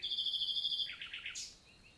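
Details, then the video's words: Common nightingale singing on a summer morning, 11 June 2023, in the Célé valley countryside forest, Lot, southern France: a long, steady, high whistled note, then a quick run of lower, rougher notes ending in a sharp upward flourish. "NIGHTINGALE MORNING SONG"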